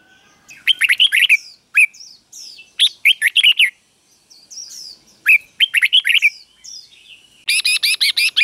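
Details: Doubled 'berl' song of a red-whiskered bulbul, played so young birds can copy it: bursts of fluty, bouncing whistles between quiet gaps, and a final fast run of buzzy, evenly spaced notes.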